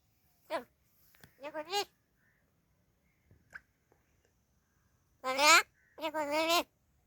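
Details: A pet talking crow in Palghar gives short, hoarse, speech-like syllables with wavering, rising and falling pitch, in a few bursts about a second apart, while a person talks to it nearby.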